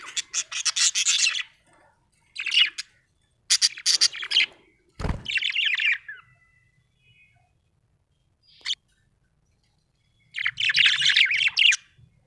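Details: Happy budgerigar giving bursts of fast, scratchy, high-pitched chirping and warbling, each lasting about a second with short silences between, one sharp thump midway.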